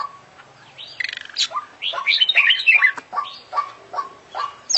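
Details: Kacer, or oriental magpie-robin, in full-isian song of the international-champion kind: a rapid stuttered trill, then a tumbling jumble of high whistles and chirps, with short falling notes repeating underneath.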